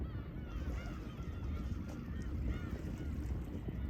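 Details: At Horozuki fishing port in Imabetsu, Aomori, Japan, Black-tailed Gulls give scattered nasal mewing calls, fainter and overlapping, half buried under constant low surf and wave wash.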